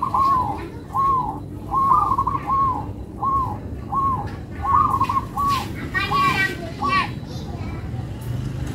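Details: Local zebra dove singing a melodious series of short, rounded cooing notes, about a dozen in steady succession roughly every half second, with children's voices and chatter briefly heard near the end.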